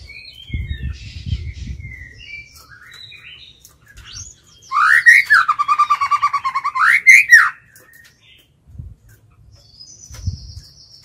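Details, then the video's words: Decoy white-rumped shama singing to lure and challenge wild birds: faint whistles and low knocking noises, then a loud swooping phrase into a long fast trill of repeated notes ending in a sharp upward slur. "Chích chòe lửa mồi hót gọi bổi"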